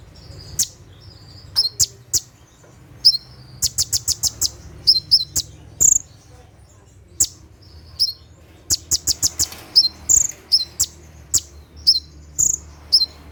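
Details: Brown-throated sunbird, locally konin, delivering a night-time 'tembakan' song for training caged birds: bursts of rapid staccato high ticks, up to six in quick runs, mixed with bright whistled chirps.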